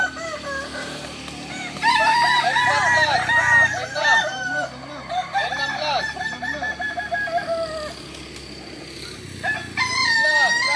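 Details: Kukuak Balenggek roosters crowing at a practice session staged like a contest judged on how often they crow; dense, overlapping wavering crows swell after two seconds, thin out around eight seconds, then build again.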